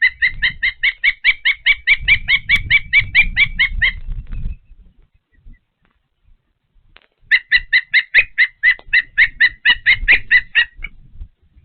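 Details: Osprey calling at its nest in Patuxent River Park during feeding: two long bouts of rapid, ringing whistled chirps, roughly two per second, separated by a quiet pause with faint low rumble.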